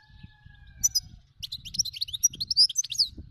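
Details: Wild European goldfinch singing: after a quiet start, a rapid high twittering run of bright, buzzy and liquid notes fills the last two seconds, over a low background rumble.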